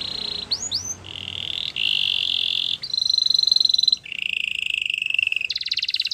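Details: Canary song made of sustained rolls and buzzy trills at changing pitches, with a couple of quick whistled slurs near the start, over a constant background hiss.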